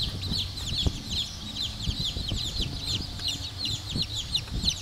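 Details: Black Cochin bantam chicks giving a steady chorus of high, thin peeps, many overlapping, over a faint low rumble and occasional soft knocks.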